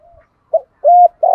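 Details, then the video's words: Spotted dove of the 'thổ sấm' voice style, cooing to lure wild doves: a brief low note, then a sustained even coo and the start of a rougher coo, all on one low pitch. "tieng gay goi/ chim cu gáy kích bổi mới hiệu quả"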